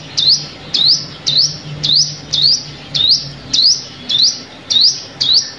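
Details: High sunbird chirps used to lure birds into traps, each sweeping sharply upward, repeated ten times at an even, slightly unhurried pace of about two per second.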